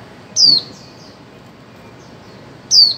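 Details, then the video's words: Female white-eye calling in 2024 to stimulate mute birds to sing: two loud, thin, high notes sliding downward, about two seconds apart, each followed by fainter softer echoing notes over quiet background hiss. "Khuyên mái 2024 hàng giành cho chim câm"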